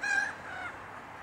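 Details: Black-headed gull recorded 16 June 2013 at coordinates 52.01792, 4.30087: one harsh, nasal, harmonically rich squawk, loud at first and then sliding downward into a fainter drawn-out tail, over quiet background.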